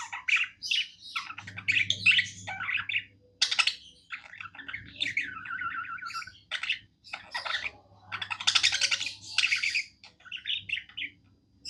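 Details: Happy pet budgie warbling: long runs of rapid chatter, clicks and trilled, buzzy phrases, with squeaky whistles and harsh chirps, in bursts separated by brief gaps. A low steady hum is heard in the background.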